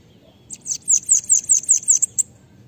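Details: Bananaquit song used for training other birds: a rapid series of about ten sharp, high buzzy notes, several each second, over a quiet background.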